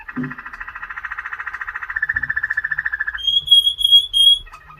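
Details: Song of a Waterslager canary: a rapid bubbling trill held for three seconds, rising a little midway, followed by a thin, high, pure whistle and a few soft low notes.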